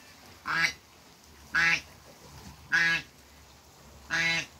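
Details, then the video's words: Meeting of an African geese couple at a farm: four clear, ringing honks, short and rich in overtones, evenly spaced about a second apart against quiet background noise. "TRYING MEETING AFRICAN GEESE COUPLE"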